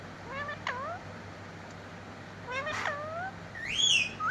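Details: Talking parrot kept as a pet, mimicking words like mitthu mitthu: two pairs of harmonic, voice-like syllables with bending pitch, separated by a pause, then a loud, clear, rising-and-falling whistle near the end.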